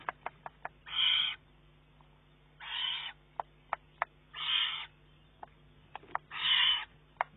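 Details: Young Eurasian eagle-owl, June 2011, demanding food from its mother: four drawn-out, noisy screeching hisses about every 1.7 seconds, interspersed with crisp ticking clicks.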